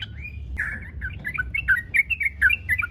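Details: Yellow-vented bulbul singing, used as a lure to provoke other bulbuls to sing: short bubbly whistled phrases, rising and falling, delivered in a quick broken run after a brief opening whistle, with a low hum underneath.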